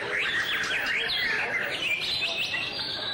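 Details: White-rumped shama in song display: quick, clear whistled phrases with rising and falling slurs, delivered in rapid succession over about three seconds, faint background hiss.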